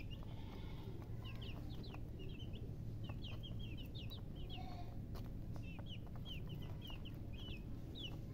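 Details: Chicks giving thin, high, downward-sliding peeps in loose series of two or three, repeated steadily across the recording over low droning background noise.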